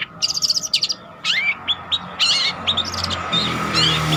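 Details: Spotted long-tailed shrike singing as a lure or master recording: a burst of rapid high chirps, then separate rising whistles and squeaky notes over a steady low hum and background noise.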